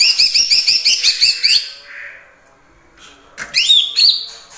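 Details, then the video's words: Greater green leafbird singing with kapas tembak and cililin imitations: a fast trill of bouncing whistled notes about three per second, a brief lull, then loud rising whistles and a harsh burst. "Cucak Ijo Gacor Full Isian Tembakan Kapas Tembak dan Cililin"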